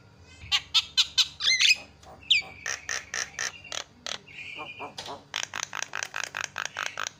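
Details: Javan myna lure to get other birds calling: a rapid, loud series of clipped harsh notes, a sustained whistled tone in the middle, then steady repeated chattering bursts.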